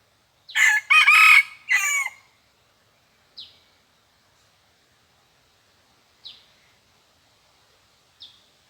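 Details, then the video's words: Red junglefowl answering a decoy, said to crow only twice: a strong three-part crow, harsh and buzzy, about two seconds long, followed by three sharp high chirps spaced a few seconds apart in near silence. "ຕໍ່ໄກ່ປ່າ ຂັນສອງບາດທໍ່ນັ້ນ ຫມາຍນີ້ມີຊ້ຳ ต่อไก่ป่า ขันสองเทื่อเท่านั้น หมายนี้มีช้ำ"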